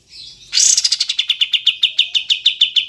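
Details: Cream-vented bulbul (kapas tembak) in a clean recording used to coax captive birds into singing: a soft lead-in, a loud harsh note, then steady rhythmic chirps repeated about five times a second.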